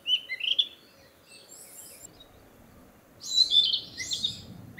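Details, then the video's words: Narcissus flycatcher back from the south to breed, singing in a forest to declare its territory; two short bursts of high whistled, slurred notes, one at the start and a louder, richer phrase after three seconds, over faint background hiss. "キビタキ!七色のさえずり[Narcissus Flycatcher]"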